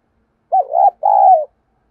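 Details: Decoy spotted dove with a 'giọng thổ' voice, cooing to challenge wild rivals. There is one loud double coo: a dipping first note, then a sustained, slowly falling second note.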